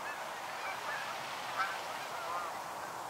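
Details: Canada geese arriving at a fall migration stopover in the northern USA, a distant flock giving faint, overlapping honks, one slightly louder honk midway, over steady background hiss.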